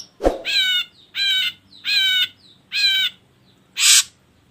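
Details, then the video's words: Ashy drongo recording used to set other birds singing: a sharp click, then four wavering ringing nasal notes at steady intervals of under a second, followed by one harsh rasp. "Pancingan Burung Srigunting Abu Abu Biar Bunyi"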